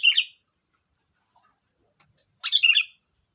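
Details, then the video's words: Lively, chatty song of a sooty-headed bulbul: two quick, liquid, bubbling phrases about two seconds apart, each a tumbling run of slurred whistles, over a thin constant hiss. "Suara burung Kutilang Gacor || Ocehan Kutilang"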